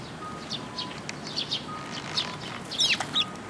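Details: Fledgling Eurasian tree sparrows gathering on a post to receive food at a shrine on 1 June 2022; short bright chirps scattered through, louder cluster near the end, over a low hum.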